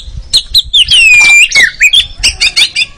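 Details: Oriental magpie-robin song meant to train contest birds: clipped chips, then a long clear whistle sliding downward, more quick descending whistles and a run of rapid high chattering notes.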